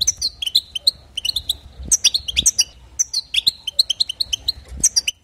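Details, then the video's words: European goldfinch singing to stir other goldfinches: lively, tinkling twitters and sharp chirps tumbling in fast, repeated runs, with faint background rustle. "بتبتات حسون جديده للتهيج نار"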